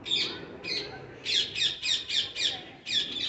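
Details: Parrots uttering a string of coarse, scratchy squawks, roughly two per second, loud and evenly matched in strength, with a short break before the last pair.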